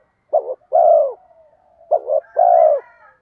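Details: Spotted dove with a bronze-toned voice coos to lure wild doves. A quick double-pulsed note is followed by a long falling hollow coo, and the pair comes twice. Faint higher harmonics sound over the second long coo.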